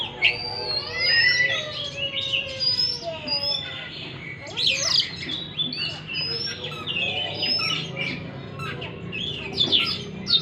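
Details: Oriental magpie-robin song used as a lure for a stressed bird that stopped singing: busy, varied whistles and warbled phrases over a noisy background.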